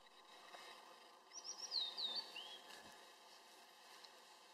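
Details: Blue-and-white flycatcher (Cyanoptila cyanomelana) song, recorded in 2013 as the first of the season's summer visitors: a brief, faint phrase of high, quick down-slurred whistles lasting about a second, over soft background hiss.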